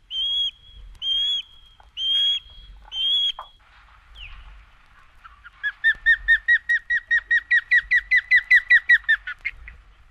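Osprey giving four loud, clear whistled notes about a second apart, then a rapid series of about fifteen sharp, rising chirps that speeds up and fades.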